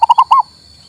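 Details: A single short phrase from a local male zebra dove, played to rouse a non-singing bird: four quick mellow coo notes, the last one longer and slightly falling, then silence.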